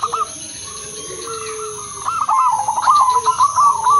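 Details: Zebra dove of the Udanmas Silver crossing line singing a lure song to set other zebra doves singing; after two quiet seconds with a faint drawn tone, a burst of fast rolling, stuttered coos, over a steady high hiss.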